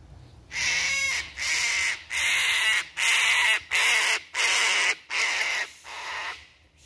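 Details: A sulphur-crested cockatoo chasing a 5 ft goanna, which eats cockatoo eggs and chicks, out of a tree gives seven harsh, raspy screeches in quick succession, each about half a second long, loud and grating.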